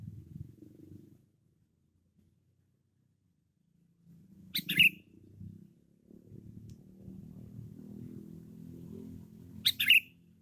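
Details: Loud, frequently singing sooty-headed bulbul of the cengkram variety sounds two short tumbling whistled phrases about five seconds apart, over a steady low hum and murmuring background noise.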